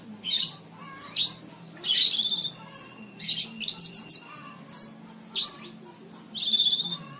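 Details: Javan bush lark song used to tutor cage birds: rising whistles alternate with buzzy rattling trills and quick chip runs, phrases repeating with short pauses throughout.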